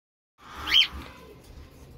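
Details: A young, hand-raised cockatiel (Nymphicus hollandicus) chick gives a single short, high chirp that rises and falls, followed by faint scratchy rustling.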